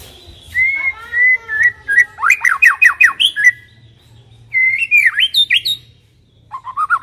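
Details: White-rumped shama (murai batu) song used as a lure to make silent shamas start singing: varied whistled phrases, a rapid run of five sharp downslurred notes, then rising and falling whistles after a pause, with a faint low hum underneath.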